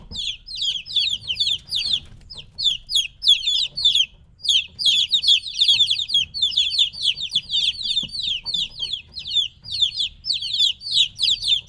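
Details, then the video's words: Little chickens around three weeks old, separated from the hen, keep up noisy high-pitched cheeping: rapid, sliding peeps in overlapping bursts, with only brief lulls, and a quiet low background murmur. "LITTLE CHICKENS CHIRPING NOISE"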